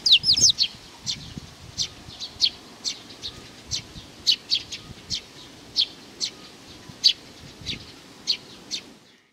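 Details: Young sparrow starting with a fast tumble of chirps, then settling into regular high chirps roughly every half second, over soft hiss.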